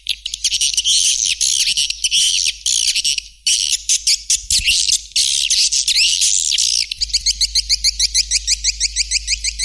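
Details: White-nest swiftlet sound: rough, crackling chatter broken by clicks. It then turns into a fast, even series of short rising twittering notes. A faint low hum sits underneath.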